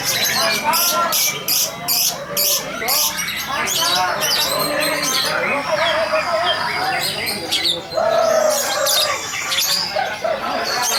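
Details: Lovebird calling in flight, a bird praised for its style and voice: harsh, rapid squawking chatter with short whistled notes, dense and overlapping, high-pitched bursts throughout, with background noise and faint human voices.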